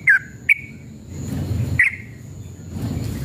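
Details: Sooty-headed bulbul male meant to stir other birds to answer in an emotional singing duel: three quick chirped notes with short trailing tails, over a low rumbling background hum.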